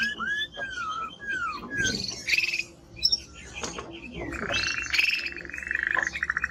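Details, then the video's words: Male Timbrado canary with drooping whistled slurs, scattered chips, then a long buzzy rolling tour with rapid pulses toward the end. "Canary singing Strong Bird - ذكر كناري تغريد نار"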